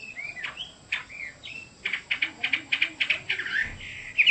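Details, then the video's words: Chinese hwamei singing: scattered slurred whistles, then a fast burst of sharp clipped notes around a steady pitch, over soft background hiss. "Chim họa mi đẹp và hót rất hay"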